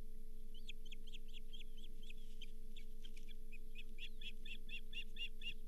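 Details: Osprey at the Charlo nest, 31 July 2023, with a lake whitefish delivered as the fifth fish of the day: a long series of piercing chirps, slurred at first and then clipped and evenly spaced, over a steady mechanical hum.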